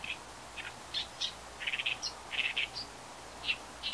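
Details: Oriental reed warbler calling, recorded on a Nikon compact camera: scattered short, harsh chattering notes, some in quick doubled or tripled bursts, separated by brief irregular pauses against a quiet background.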